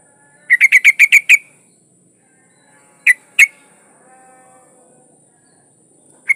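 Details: Female yellow-vented bulbul in breeding condition calling to a male: a quick burst of about seven harsh, even chattering notes, then two isolated notes after a pause and one more at the end. The background is quiet.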